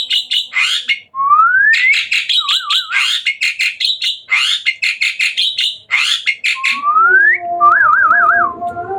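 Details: Hybrid Asian pied starling singing vigorously at night, mixing fast harsh chattering bursts with long rising slurred whistles and short wavering trills, repeated several times with hardly a break.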